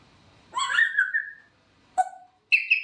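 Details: Pet grey parrot uttering a descending whistled note with rich overtones, then a short lower chirp and a brief high warbled whistle, all within three seconds indoors.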